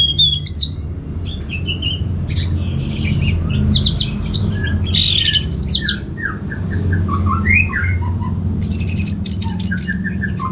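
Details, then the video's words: Orange-headed thrush, a caged bird in North Bali's Singaraja, singing for a bird-training sound; a long jumble of harsh squeaky notes, falling slurs and high chips delivered without pause over low humming noise. "ANIS MERAH Langsung Gacor Nyaut Joss"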